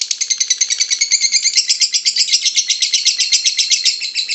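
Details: A dense, shrill, unbroken lovebird chatter of rapid buzzy chirps runs for several seconds, the ngekek style of song played to provoke caged lovebirds into answering.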